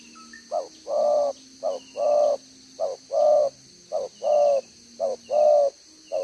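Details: Spotted dove used as a decoy bird, cooing in the 'đồng gáy 1 hậu' style with one trailing note, recorded 11 June 2023: paired coos, a short note then a longer full one, repeated about once a second, with faint high chirps from other birds.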